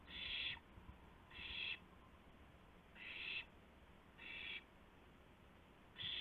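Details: Owl recorded by a live nest cam at 2:51 AM, April 2, 2016, during a gopher handover; five rasping, hiss-like screeches spaced about one to one and a half seconds apart over faint hum.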